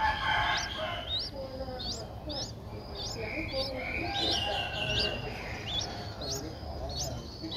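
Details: Nine-day-old Streak-eared Bulbul chicks at the nest in Ubon Ratchathani, Thailand, 11 April 2023. They make a string of brief, high, upward-flicking chirps about every third of a second, with a lower warbled note midway.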